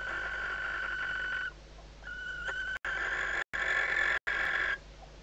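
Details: Female barn owl inside a nest box at Riet Vell Nature Reserve, Ebro Delta, days before the first chick hatches, calling when she detects the male at the outside perch. Harsh, wheezy, harmonic calls of about one and a half seconds, with short breaks between them.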